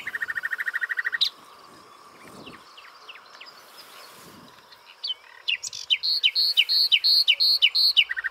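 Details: Common nightingale singing from a prickly pear cactus: a low rapid rattle, a quiet gap with soft notes, then a strong accelerating series of repeated loud, downslurred phrases.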